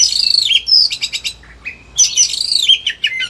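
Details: Oriental magpie-robin in a high-energy, agitated song that shows off a large repertoire, offered as a master sound to prompt lazy magpie-robins to sing: two rich, sliding, whistled phrases around a burst of rapid trilled notes, over a faint low hum.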